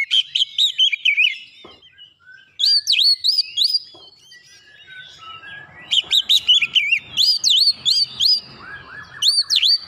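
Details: Oriental magpie-robin song played as a lure to provoke rival birds: rapid bursts of varied whistles, some rising-and-falling loops, some sharp upward-sweeping notes, repeated in loud phrases with short pauses.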